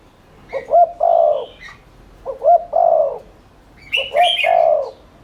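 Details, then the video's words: Spotted dove cooing in the 'thúc liên thanh' lure style, used to spur doves to coo. Three mellow low phrases come in quick succession, each a double lead note and an extended coo, with a couple of higher chirps from another bird. "Cu gáy THÚC Liên Thanh kích bổi,mồi ức chế nhanh gáy/kích bổi nhanh nổi"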